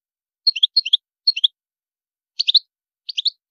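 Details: Song of a European goldfinch in high maqams: five quick bursts of three twittering, high chirps each, with a short pause before the last two bursts. No other sounds are present.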